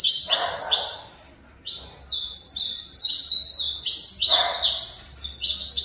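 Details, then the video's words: Breeder-raised saffron finch in fibra song: rapid, tightly packed high downslurred chirps, with two short patches of low rustling noise mixed in. "Canário Fibra"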